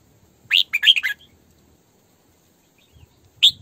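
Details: Decoy female Red-whiskered bulbul in 'sổ bọng' song: a rapid run of four or five clear, warbling whistles, then a pause of about two seconds before another bright phrase begins. A faint low rustle is heard.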